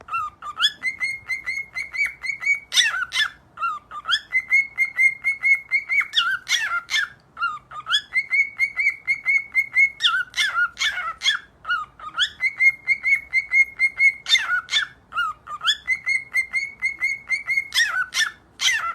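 A cockatiel whistles a looping tune, a rising note held steady, then a burst of quick chirps.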